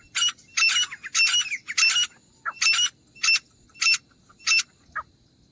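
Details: Grey francolin, recorded as a hunting sound: sharp, raspy notes, first in quick clusters, then single spaced notes roughly every half second, fading out near the end over quiet background noise.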